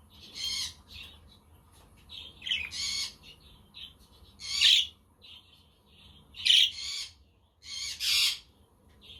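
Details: Budgerigars chirping on a sunny, windy day, offered as company for lonely budgies; a quaker parrot and a conure are also in the background. Loud, bright chattering bursts come every second or two, with quieter warbles between.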